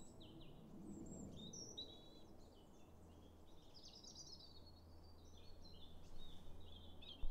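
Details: Robin in song to mark territory along wooded farm paths on 9 January 2022, in winter: sweet, tumbling high phrases of quick notes and slurred whistles, repeated after brief gaps, over a low droning hum and a soft rumble.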